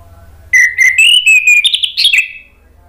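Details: A continuous, climbing sequence of clear whistled notes ending in a rapid, higher flourish, from an Orange-headed thrush. In Indonesia this lure sound is played to birds that have gone quiet.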